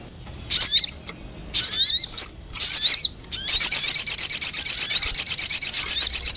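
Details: Bird-attracting sogon lure: three spaced bursts of high, curving chirps, then a continuous rapid high trill lasting about three seconds.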